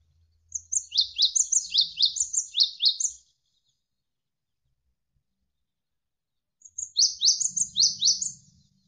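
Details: Javan sparrow giving a tutor song made of tight, rapid bursts: two phrases of quick, high, falling chirps mixed with thin whistles, split by a silent gap of about three seconds, with a soft low hum.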